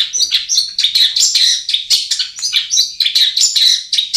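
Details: Long-tailed shrike lure song aimed at birds reluctant to sing: a rambling run of high, scratchy chirps and brief whistles, quick and unbroken throughout.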